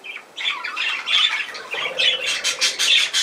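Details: Budgerigar squawks and chatter: a short pause, then harsh scratchy calls with bright whistled accents, growing busier and louder toward the end.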